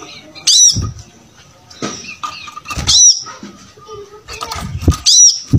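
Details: Brown-throated sunbird in energetic song, played to teach other birds: loud shrill squeaky phrases roughly every two seconds, each followed by a low thud, with faint twittering between.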